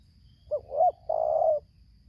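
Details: A Lampung spotted dove used as a lure against a wild bird delivers one 'tarik akar selang nguku' phrase: a quick low note, a rising hooked coo, then a long steady drawn-out coo.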